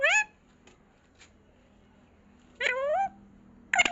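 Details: Pet parrot talking, saying words like mummy. Brief rich nasal voiced sounds at the start, after two seconds of quiet, and at the very end, with faint room hum.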